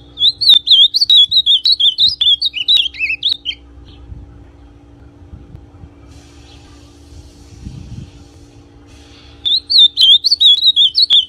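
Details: Brown azulão, the ultramarine grosbeak, sings to stir up another male: a rapid warbling run of high twisting notes lasting about three seconds, a long quiet gap with soft background hum, then the phrase starts again.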